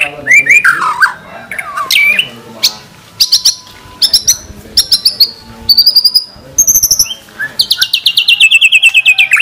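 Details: White-rumped shama (murai batu) song used as training material with 'tembakan' fill. It is a varied sequence of slurred whistles, clicking bursts and short high whistled notes, finishing with a rapid high rattling trill.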